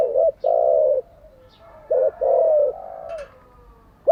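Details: Decoy spotted dove cooing, for training newly caught and decoy doves. Two phrases, each a short hoot pair and a long low coo that fades into a soft hum, with a brief high chirp near the end.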